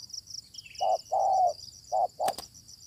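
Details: Spotted dove, a fierce wild bird met during decoy luring, gives two low coo pairs, a short note then a longer one, followed by a sharp click; high insect whine throughout.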